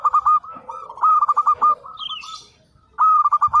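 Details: Local zebra dove in constant song: rhythmic bursts of short, clipped cooing notes on one mid pitch, with a faint higher chirp from another bird between phrases.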